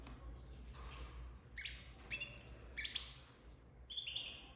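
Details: Captive-bred domestic canary chicks of the red frosted colour, 2024, giving short bright chirps with harmonic overtones, about four spaced irregularly over a few seconds, above a steady low mechanical hum.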